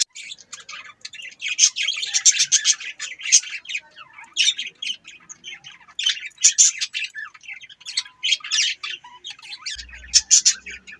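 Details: Budgerigars give clusters of sharp, raspy chirps and squawky twitters, bursts separated by short pauses, fast and irregular, with a faint low thump near the end.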